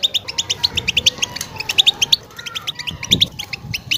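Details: European goldfinch mating song meant to stimulate a female ready to breed: quick series of bright high tinkling notes in short bursts, with a faint lower drawn note in the middle.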